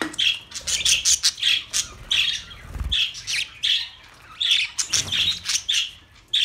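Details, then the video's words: Pet budgerigars giving bright, sharp chirps and squawky notes, about a dozen separate calls over several seconds, each a short high burst with scratchy overtones, a low thump near the middle. "Budgie Sounds for lonely Birds"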